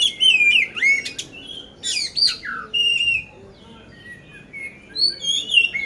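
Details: Oriental magpie-robin of the poci kind, Magelang, Central Java, singing a coarse-filled competition song: bursts of sharp chips and looping whistles, a level whistled note, a pause, then softer rising whistled phrases.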